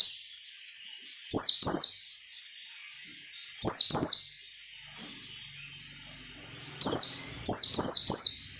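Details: White-eye 'ngalas nembak' song for training captive birds: pairs of piercing falling whistles repeated about every two seconds, ending in a faster run of four notes, with faint soft twitters between bursts.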